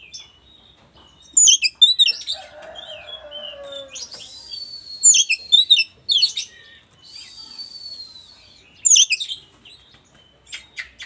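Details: Singing oriental magpie-robin of the West Javan type, its song stirring up other magpie-robins: short bursts of sharp high chatter separated by quieter pauses, with a descending harsh lower note and a thin sustained whistle.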